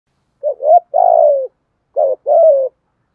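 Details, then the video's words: Spotted dove cooing and calling: two low coo phrases, each a short wavering note followed by a longer drawn-out coo that slides slightly downward, separated by a half-second pause, on an otherwise silent background. "Tiếng cu gáy thúc gù và gáy gọi cực đỉnh"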